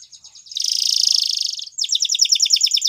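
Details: Waterslager canary singing soft repeated notes, then a loud rapid buzzing trill, followed by a quick bouncing series of doubled notes.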